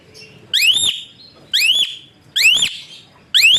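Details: Repeated whistles of an Asian pied starling, used as a master to train other birds: loud upward-swooping notes, one roughly each second, each ending in a brief level tail.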